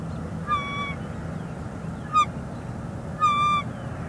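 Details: Nesting female bald eagle in northeast Florida, February 2021, calling to her mate on a nearby branch; three high, thin whistles, the middle one short and abrupt, the last drawn out, over a low background hum.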